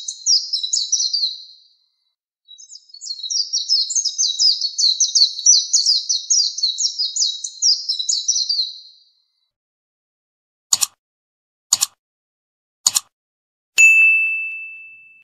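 Oriental white-eye in a long, rapid, high twittering warble of jumbled sweet notes, followed by three sharp clicks and a steady electronic-sounding tone.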